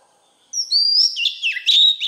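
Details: Oriental magpie-robin giving its wild-type voice: a clear whistled note sliding upward, then a busy run of twisting, warbled phrases with quick chirps and a high whistled ending.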